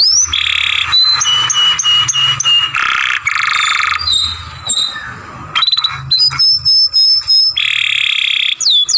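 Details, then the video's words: Young canary in song training produces stretches of grating buzzy notes mixed with rapid rattles and thin high whistles, with some faint low background hum. "Young Canary Masteran, Long Sounds Grumbling"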